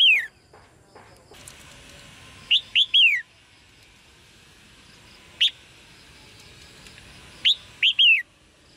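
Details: A red-whiskered bulbul chirps to spur males to sing. A lone note opens, then a three-note bright, slurred phrase, another single note, and a final three-note phrase, spaced several seconds apart.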